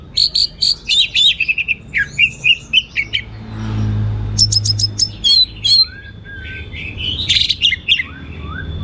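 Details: Gacor teler singing by an Orange-headed thrush, abundant varied material: fast runs of sharp ticking and whistled notes, brief pauses, falling slurs and a thin steady tone, with a low rumble midway.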